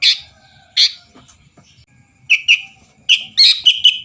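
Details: Sooty-headed bulbul song meant to provoke rival birds. Two loud, sharp calls open, followed by a gap with faint sounds. Then a string of bright chirped notes closes the clip in quick succession.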